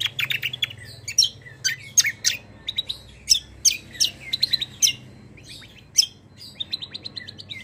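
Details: Greater green leafbird in full kecial kombo song with long rolls, said to respond instantly to any kecial kombo; a dense, continuous stream of rapid high chirps, ticks and steep downslurred whistles with hardly a pause, over a faint low hum.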